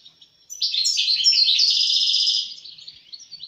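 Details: Loud, bubbly song of a European goldfinch: a rapid cascade of bright chirps merging into a buzzy, rattling trill, then softer scattered twitters.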